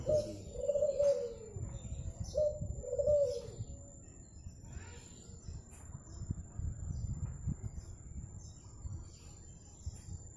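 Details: Zebra dove, a native bird from Madura praised as golden-voiced and melodious, giving two short bursts of soft, mid-pitched cooing notes in quick succession, followed by low rumbling background noise and faint hiss.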